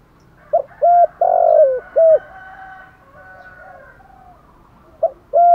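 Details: Spotted dove in the 'thổ thúc gù' style used to provoke decoy birds: a clipped note, a held coo, a long falling coo and a final held note, then a quiet gap before the next phrase begins.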